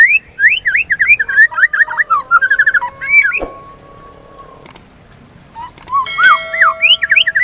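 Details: White-rumped shama song for stimulating singing and as therapy against breeding excitement: quick upslurred whistles run into a warbling, buzzy sequence, a sharp click, a quiet stretch, then more rising whistles over a steady tone.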